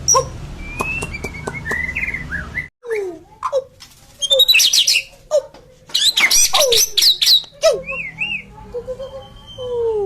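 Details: White-rumped shama in lively song with full varied phrasing: sharp clicks, slurred mid-pitch whistles, and bursts of loud, dense high notes, broken by short pauses and a low hum in the background.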